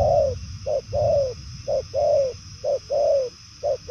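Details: Strong 'bài lối' cooing from a 'đồng son chân tím' spotted dove: a quick short note followed by a longer downward-curving coo, repeated three times over low background rumble.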